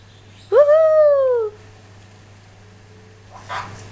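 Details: Talking pet parrot reacting while spotting a 747 aeroplane: one loud, clear rising-then-falling harmonic whoop lasting about a second, followed by quiet and a faint rustle; a person keeps asking "what's that".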